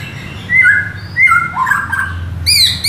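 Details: White-rumped shama (murai batu) song played to stir caged shamas into song: flat whistled notes and quick downslurs, then a bright high whistle near the end, over a steady low hum.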